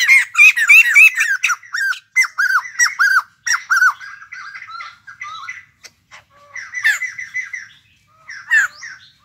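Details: Loud laughing chatter from a caged white-crested laughingthrush, recently taken from the wild: fast bursts of arched, bouncing notes, then scattered shorter phrases with silent gaps.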